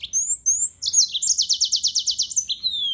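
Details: Yellow-fronted canary, Serinus mozambicus, opens with two thin rising whistles, then delivers a quick trill of about a dozen evenly repeated notes, closing on slurred high whistles.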